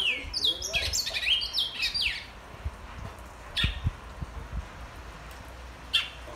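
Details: Black-and-white seedeater whistling: a quick burst of high, sliding whistled notes for about two seconds, then sparse single chirps over low background rumble.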